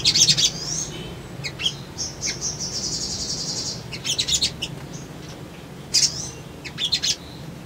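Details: Crimson Sunbird (sogon) male, lure recording to make birds respond. Sharp high twitters open, then a sustained high buzzy trill for about two seconds, followed by scattered chirp bursts and quiet gaps.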